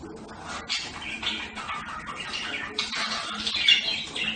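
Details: Budgerigars warbling steadily, a soft run of squeaky, chirping and slurred notes with a few sharper high chirps near the end.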